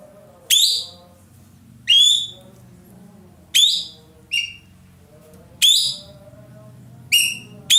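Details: Captive Indonesian ekek keling, a roller valued for its loud, sweet voice and used to train other birds' song, calls with sharp, downslurred whistled notes, seven in irregular succession, with a low murmur and faint hum behind.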